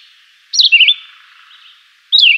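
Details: Two short phrases from a Chivi vireo, a quick slurred whistle dropping then twisting upward, separated by a pause of more than a second, over a faint steady hiss.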